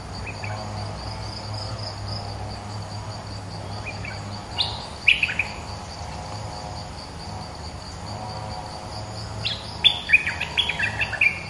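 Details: Bulbul singing as a trapping lure: two separate bursts of quick, liquid chirping notes, the second longer and more varied, over constant cricket-like insect buzz in the background.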